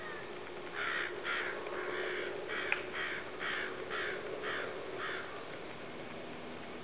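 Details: Recording of snow goose (atlanticus), 7.8.12, full of repeated raspy, nasal honks, about ten in under six seconds, at an uneven pace over continuous background rumble.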